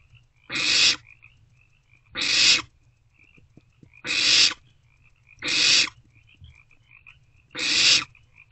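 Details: Owlet fed a vole by a parent inside a nest box, night of 27 March 2024; five evenly spaced harsh hissing shrieks about every one and a half seconds, with faint chirping insects and low hum between them.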